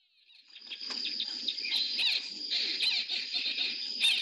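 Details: Hartlaub's (white-rumped) Babblers, resident in a lodge garden in Namibia and often heard before seen, give very loud, harsh, rasping chatter in rapid bursts, about four a second, over a steady high insect-like drone.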